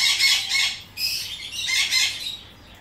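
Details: A female, parent-raised, ringed Ducorps's cockatoo gives three harsh, raspy screeches in under three seconds, loud and grating with a slight fall at the end.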